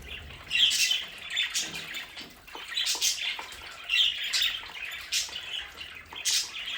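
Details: Pet budgerigars at home twitter in scattered bursts of buzzy chirps and short squeaks separated by brief gaps, with light rustling in the background.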